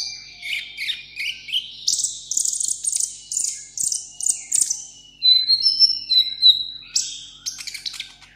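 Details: Caged seven-coloured sunbird singing solo, contest style: a fast, dense chatter of high twitters that runs into a burst of thin whistled trills near the end.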